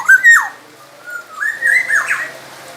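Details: Black-naped oriole (kepodang emas) from Sumbawa, singing a tutor song for training other songbirds. Clear, fluty whistled phrases slide up and down in a liquid, rolling pattern, with short pauses between notes, over a faint background hiss.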